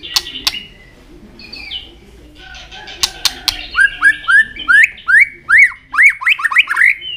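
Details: White-rumped shama singing, with clicks and a short whistle, then a run of rising looped whistles repeated rapidly, roughly twice per second.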